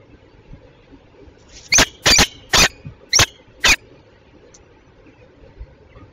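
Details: Peregrine falcon, a Belgian female, at Tilburg Westpoint on 27 June 2024 at 08:08; five harsh, broadband, grating calls in a quick irregular series over about two seconds, then quiet background hum.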